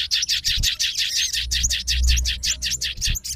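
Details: Sooty-headed bulbul of the fighter type, responding at once and calling out to a rival, in a rapid string of short, buzzy chirps repeated about four times a second, with soft low thumps underneath.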